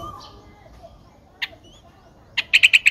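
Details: A four-day-old Streak-eared Bulbul nestling in Ubon Ratchathani, Thailand, 6 April 2023, gives one thin chip, then a quick run of four or five high, squeaky notes close together, in otherwise quiet surroundings.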